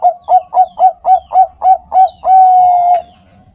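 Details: Bangkok-type zebra dove singing strongly, used as a lure to make caged doves sing: eight short pitched coos about four per second, then one long steady drawn-out note, with a brief high chirp behind.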